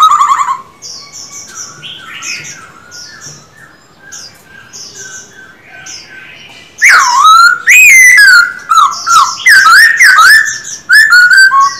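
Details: Silver-eared laughingthrush (Trochalopteron melanostigma), a male kept for daily song training: soft, distant twittering at first, then loud, rich, fluty whistled phrases that swoop up and down in quick varied bursts.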